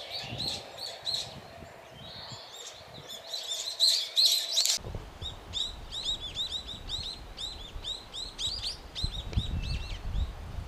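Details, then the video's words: Brown-eared bulbuls in Japan calling loudly while feeding on cherry blossom nectar; sharp, arched squeaky notes in quick irregular bursts, with a steady low hum under the first half. "Bulbuls making noise in the cherry tree. 桜の木で騒ぐヒヨドリ"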